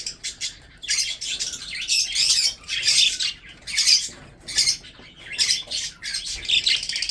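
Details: Breeding budgerigars eating food give raspy chirping bursts of about half a second to a second, repeated roughly once a second with uneven spacing.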